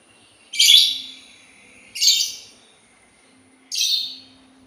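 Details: Sultan tit calling with three harsh, buzzy chirps at irregular intervals of roughly one and a half seconds, each one strong at onset and fading.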